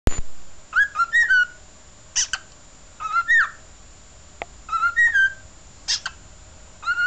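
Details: Chikorita, a pet cockatiel about eight years old, recorded on 28 March 2008 singing into a small mirror, sings short whistled phrases that bend up and down, broken by brief harsh chirps.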